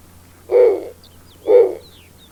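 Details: A Snowy Owl (Bubo scandiacus) in Canada gives two low, hoarse, breathy hoots about a second apart, with faint high chirps in the background.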